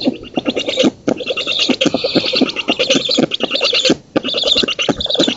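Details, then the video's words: Black storks at an oak-tree nest in Poland on 19 June 2017, filmed by a nest camera while the female feeds and drives off an intruder; dense harsh rasping pulses run rapidly and unevenly, with brief pauses near one and four seconds. "Bociany czarne z Polski (dąb) 2017 06 19 Karmienie (samica), odstraszanie intruza"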